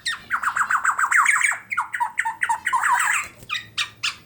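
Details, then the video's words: Tame Black-naped Oriole from Klaten, Central Java, in lively song full of isian fills: fast sequences of sharp downslurred notes, some rising, delivered nearly four per second, with a quiet low hum behind. "Kepodang Emas Gacor Jinak Full Isian sampai Teller"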